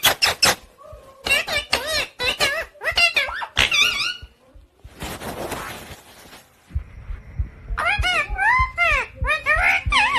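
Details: Talking pet parrot indoors giving quick, irregular bursts of sharp chirps and wavering whistled notes, broken by clicks and a short rush of noise near the middle.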